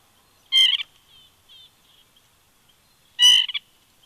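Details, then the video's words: Woodpecker calling close to a bald eagle nest at Big Bear on a September 2019 morning: two harsh, nasal, buzzy bursts about 2.7 seconds apart, with faint soft chatter between them. "Woodpecker Vocals"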